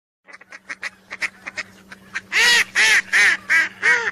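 Whistling duck: a quick run of soft, clipped notes, then five loud, harsh, wheezy calls spaced about 0.4 seconds apart, over a faint steady hum.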